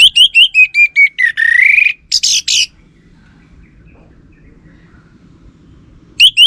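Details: Orange-headed thrush lure song, used so that males reply: a rapid run of repeated whistled notes that flows into a harsh, buzzy rising note, then short high bursts, silence, and a fresh phrase starting.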